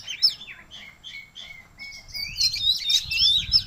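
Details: Oriental magpie-robin singing freely again after being sick: clear whistled notes that slide and glide, a run of level whistles, then a rich burst of fast, scratchy, high warbling phrases. Faint low rumble underneath.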